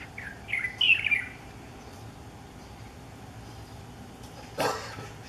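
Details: Chinese bulbul singing in courtship outside a west window in Miyun at sunrise on June 9, 2014: a short burst of warbled, slurred notes around the middle pitch, rising then falling, followed by silence and a sharp knock.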